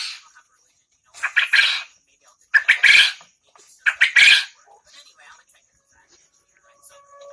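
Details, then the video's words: A vocal quail from Lombok, Indonesia, of a type prized in bird contests, gives three harsh, buzzy bursts about a second apart, each opening with short clipped notes. Faint voices are heard in the background. "Burung puyuh gacor asli LOMBOK"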